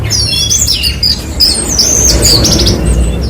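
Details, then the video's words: A brief burst of Horsfield's bushlark (branjangan) song: thin high whistles gliding up and down, then quick buzzy trilled notes, over a low rumbling background. "BURUNG BRANJANGAN"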